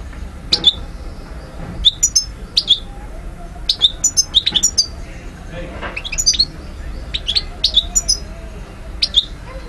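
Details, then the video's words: European goldfinch from Algeria, 2012, giving scattered high, sharp chirps and short twitters separated by gaps, with a faint low hum underneath. "Vidéo Carduelis* chardonneret* jilguero* حسون alger ( Algeria) DZ 2012"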